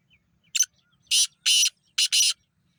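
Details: Black francolin calling: a series of five harsh, broadband grating notes, a short first note followed by longer rasping bursts in pairs, over quiet background.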